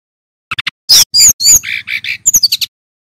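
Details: Male brown-chested jungle flycatcher singing loudly and clearly, kept as a lure recording for training other birds: a few quick clicks, then sharp high whistles sweeping down, burry mid-high notes, and a fast run of bright chips.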